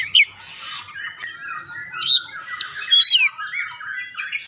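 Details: Oriental magpie-robin song used as a lure to get another bird singing: sweet whistled notes rising and falling, mixed with harsh scratchy bursts and sharp upslurred chips.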